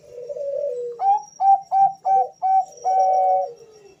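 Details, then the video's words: Male Bangkok-type zebra doves calling back and forth: a low, falling rolled coo, then five clipped, rising whistled notes about every third of a second and a final drawn-out coo, with a thin steady high tone in the background. "suara panggilan dua perkutut Jantan saling Bersahutan"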